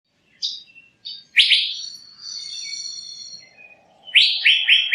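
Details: Male Asian fairy-bluebird giving a lure call: short high chirps, then loud raspy buzzing bursts that trail into a long harsh note, and finally a quick run of rasping syllables, over a faint low steady hum.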